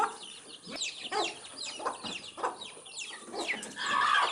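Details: Baby chicks chirping as they eat earthworms; loud sliding peeps over a broad scratchy background, with a harsher burst near the end.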